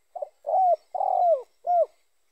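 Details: Spotted dove call, used as a lure to draw other spotted doves in: one brief opening note followed by three mellow coos, the middle one longest and burry, each ending in a downward bend; no other sounds.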